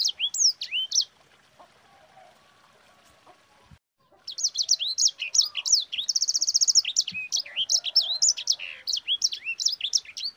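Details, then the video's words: Rolling song of a yellow-fronted canary (sanger), used for tutoring other songbirds. A short burst of shrill notes, a pause, then a long dense roll of quick chirps with a fast buzzy trill in the middle. "Suara Burung SANGER GACOR Ngerol Pedas paling ampuh untuk Pancingan"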